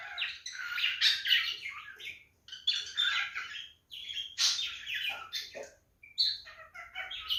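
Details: Male cockatiel in mating behaviour chattering in bursts of harsh, squawky notes and scratchy whistles, with brief pauses between outbursts.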